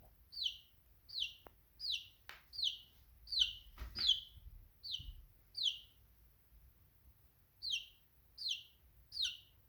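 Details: Chicken chick chirping: clear, high, downward-sliding peeps repeated steadily about once every second, with a short pause near the end and faint low rumbling in the background.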